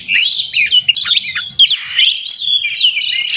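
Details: White-rumped shama fighting song, used to provoke rival shamas into singing: continuous rapid warbling and thin high whistles, busy and excited, with faint low noise underneath.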